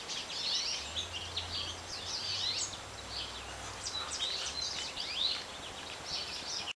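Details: Goldfinches in a backyard with planted birch trees and a quaking aspen give high, sweet twittering chirps and short warbled notes. A steady low hum and background noise run underneath.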